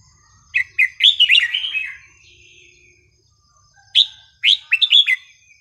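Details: Red-whiskered bulbul song, a melodious style of non-repeating phrases played to teach young birds: two bursts of bubbly, warbled whistles, each a quick run of rising and falling notes, separated by a few seconds of quiet.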